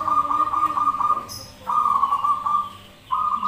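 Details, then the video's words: Zebra dove song, birds answering each other, from a lure recording: rapid trilled phrases in quick succession, broken by short pauses, each at a steady pitch. "Pancingan Perkutut Manggung Bersautan"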